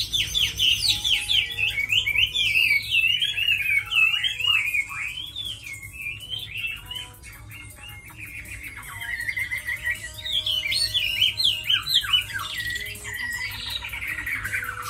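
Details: Tame fighting Chinese hwamei singing at length: loud swooping whistles and sharp upward slides, a quieter softer passage midway, then strong varied phrases again, with a steady low hum behind.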